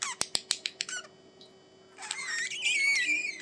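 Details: Budgies giving a quick run of sharp clicking ticks, a short pause, then a long wavering squeaky warble that slides up and down, ending loud.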